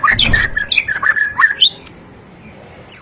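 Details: Long-tailed white-rumped shama: a quick jumble of loud whistles and squeaky slurred notes over a second and a half, a pause, then a high descending whistle.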